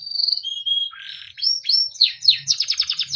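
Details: Timbrado canary singing for training, with whistled tones, a dense buzzy phrase, upswept slurs and a quick series of sharp descending chips, somewhat quieter.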